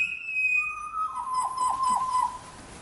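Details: One of a family of five pied butcherbirds in a tree sings slow, pure, flute-like whistles on a morning in June 2016: a high held note, then a long lower note that wavers and slides down. The birds call to each other, wary of a butcherbird nearby.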